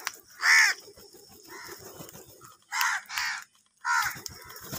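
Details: Angry crows contending for food give a loud, strident caw, then softer murmuring, followed by a pair of hoarse caws and one more raucous call.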